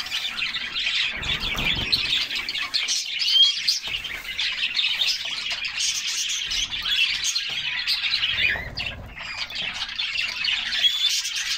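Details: A group of canaries singing while bathing in summer, splashing in cool water; a dense, continuous chatter of high twittering chirps and trills with brief low bursts of splashing around the second and ninth seconds.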